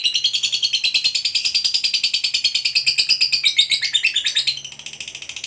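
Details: Long ngekek trill of a contest fighter lovebird: a dense, rapid, buzzy rattle that holds steady for over four seconds, then dips lower and softens into a quieter chatter.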